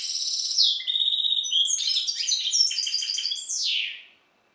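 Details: Captive-bred hybrid of the Balkan European goldfinch, Carduelis carduelis balcanica, singing: high buzzy trills, a level whistled note, then a quick jumble of tinkling chirps ending in a descending buzzy slur; clean, no background.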